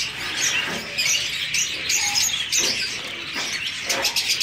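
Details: Zebra finches in a caged breeding colony, a dense chorus of high, thin chirps and tweets overlapping continuously from many birds, with a few brighter notes rising above the steady chatter.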